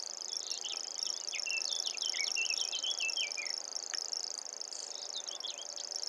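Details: Common grasshopper warbler (Locustella naevia), song.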